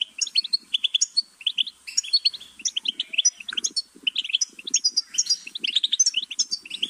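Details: Goldfinch song of fast, bright chirping notes strung together almost continuously, dancing up and down in pitch, with soft lower chattering underneath.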